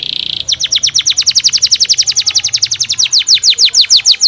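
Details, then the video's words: Singing canary: after a brief buzzy trill, a steady series of quick descending whistled sweeps repeats about every tenth of a second, with faint low background hum. "Burung kenari Suaranya bikin heboh burung kenari tetangga sebelah"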